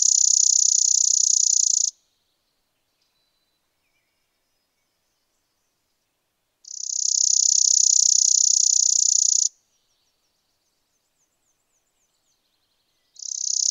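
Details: Spizella sparrow, an American sparrow, singing high, dry, rapid trills of about two seconds each, separated by several seconds of silence, with faint thin notes between them.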